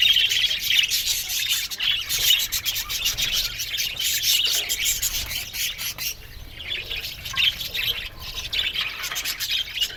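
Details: Budgie colony in an aviary with busy high chirping and warbling, loud at first and then thinning and quieter in the second half.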